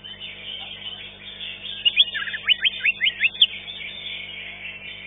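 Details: Cucak ijo, the green leafbird, singing in a caged bird-song contest: soft high chatter, then a burst of sharp, loud repeated chirps about three per second, then quieter twittering again.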